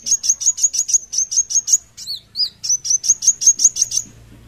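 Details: Van Hasselt's sunbird (kolibri wulung), singing vigorously (gacor): rapid, evenly spaced sharp high ticks at about four per second, broken in the middle by two twisting whistled notes, then the ticking resumes.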